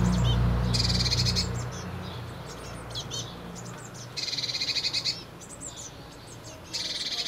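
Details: Blue tits at a nest box, recorded 8–9 May 2020: three bursts of rapid, buzzy, chattering high notes, each about a second long, with a low rumble at the start.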